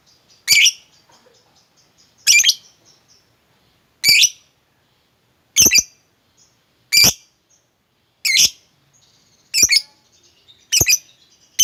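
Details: Lovebird calls played as a lure to get a sluggish, silent lovebird singing a long ngekek chatter: eight sharp, harsh squawking bursts repeated roughly every one and a half seconds, with faint twittering between them.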